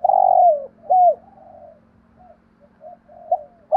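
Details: Spotted dove cooing, a voice played for enjoyment and to train decoy doves: one long, loud, low coo, then a shorter rounded coo and several softer, fainter coos, with a steady low hum underneath.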